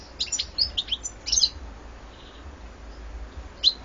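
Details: European goldfinch, recorded in 2014: scattered bright twittering notes and short chirps high in pitch, in bursts during the first second and a half, then a quiet gap and one more chirp near the end.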